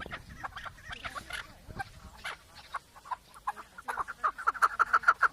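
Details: Chukar partridge with scattered soft clucks that turn into a quickening series of sharp, ringing chuk notes toward the end.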